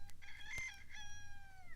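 A rooster crows in two harmonic, strained phrases, the second held and sagging slightly in pitch at the end, over a low background hum.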